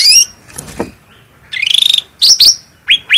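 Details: Cucak rante bulbul sings on a master recording: a high whistled note, a soft rasp, a rattling buzzy trill, then sharp upswept and downswept whistles.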